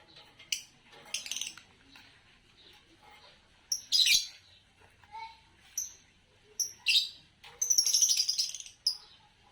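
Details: Fischer's lovebird of the green colour form chirping. Scattered shrill, grating calls build into a longer burst of rapid scratchy chatter near the end, with short thin pips and faint lower whistles between.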